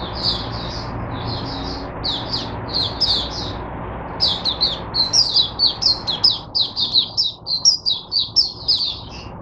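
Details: Teacher-bird oriental white-eye, caged, recorded 22 January 2022, delivering repeated high chirpy twitter notes in quick irregular series, growing louder and denser in the second half.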